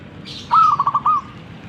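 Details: Zebra dove song phrase: a clear upslurred opening coo, then several rapid staccato coos and a longer final note, over quiet background hum.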